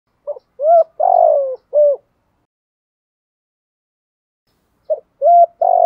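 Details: Decoy spotted dove cooing to lure wild doves, in the Thổ Sấm voice style: two phrases, each a short soft note, a level hooting coo, a long burry coo sliding downward and a closing coo, separated by four seconds of silence.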